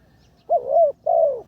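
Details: Spotted dove training as a decoy, third session, utters two drawn-out mellow coos, the second smoothly sliding downward.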